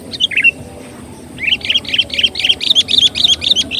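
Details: Lure recording of a sooty-headed bulbul, used to draw in birds. A brief chirpy phrase is followed by a fast, continuous run of sharp, bubbly notes rattling off several per second.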